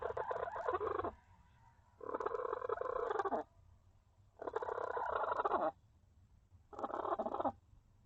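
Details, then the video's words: Hen inside a coop fussing at another hen that is trying to lay an egg; four loud, harsh, buzzy squawking bursts, each about one to one and a half seconds long, with short pauses between. "Funny Chickens sounds"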